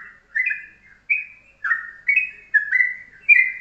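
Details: Morning song of a yellow-vented bulbul used as tutoring master, short and tight: mellow, bubbling two-part notes spaced roughly half a second apart, otherwise quiet.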